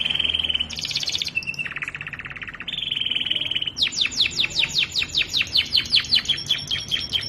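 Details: Canary in full song, recorded as a long master track for training other canaries: steady high trilled tours switching abruptly between pitches, then a fast run of repeated downward-sweeping whistled notes, about two and a half per second.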